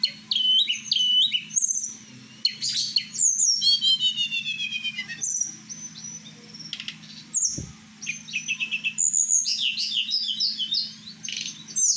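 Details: Kept blue flycatcher (tledekan Merapi) at night gives a long, varied song of dense twittering, buzzy trills, and high slurred whistles in bursts. A low mains-like hum is constant and a single thump is heard.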